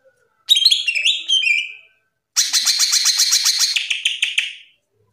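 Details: Cucak ijo with a tutor song: a whistled phrase of falling slurred notes, a short silence, then a long fast buzzy rattle of repeated notes that fades away.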